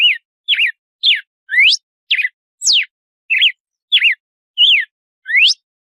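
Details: Red-cowled cardinal giving its "açoite" style measured song: loud clear whistled notes, about ten in six seconds, alternating wavering notes with sharply rising and falling slurs, spaced evenly with short pauses.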